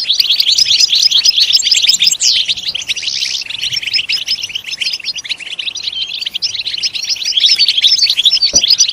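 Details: European goldfinch singing for stimulation: a steady stream of fast twittering, chirping notes with liquid trills, one brief clear whistle and a soft click near the end.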